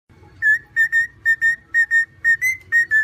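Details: Pet cockatiel singing a string of short, clear whistled notes at a steady pitch, about two per second, one note sliding slightly upward near the end.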